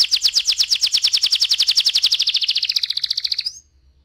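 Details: Ngeroll-style canary song used as a pancingan lure: an even, rapid trill of about eight sharp notes per second for three seconds, closing on a lower note before stopping abruptly into silence.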